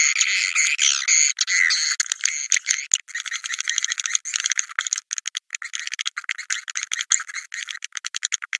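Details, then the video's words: Swiftlet 'Naga Merah' call for luring birds to nest sites: steady high twittering overlaid and then replaced by rapid, irregular dry clicking pulses. "Suara Burung Wallet Naga Merah durasi panjang!!"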